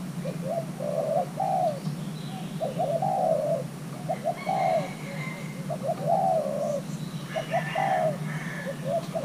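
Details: Spotted dove, young Thai-crossbred male being matched with a partner, delivers a run of soft rolling coos in short clusters. Faint twittering from other birds is heard behind.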